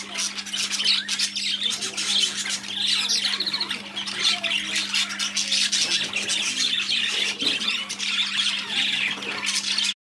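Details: A shop flock of new budgerigars gives a constant, loud, high chatter of scratchy squawks and twitters, many birds overlapping, with a low electrical hum beneath.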